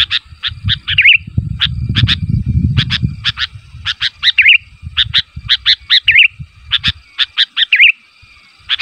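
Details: Sooty-headed bulbul calling so other bulbuls answer: short sharp chirps in quick irregular bursts, each run ending in a bubbly warbled flourish, repeated several times; low rumbling background noise during the first three seconds.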